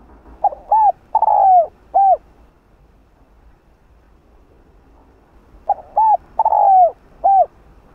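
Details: Spotted dove with a 'rặc đồng' voice, giving a calling coo meant to stir other males: two phrases about five seconds apart, each a short doubled coo, a long drawn falling coo, then a short final coo, over a quiet background.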